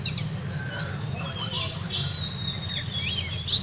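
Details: Olive-backed sunbird of the Purworejo type in its 'ngeroll nembak' song: paired bright, very high notes recurring at uneven gaps, mixed with faint lower slurred twitters.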